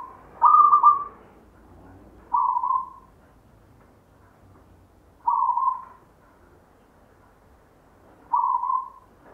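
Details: Inherited local perkutut, the zebra dove, with a natural 'gayer' voice: four soft coo phrases spaced two to three seconds apart, the first strongest and trilled, the rest shorter and mellow.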